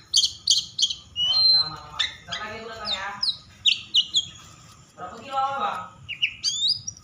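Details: Excited Oriental magpie-robin (kacer) singing to provoke other magpie-robins: quick series of sharp chips, harsh buzzy rasping phrases and interspersed clear whistles, varied and energetic throughout.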